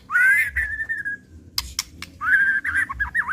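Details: Agitated white-rumped shama singing an unrepeated lure: clear drawn-out whistles held steady and then wavering, separated by sharp dry clicks, followed by warbling looped whistled notes.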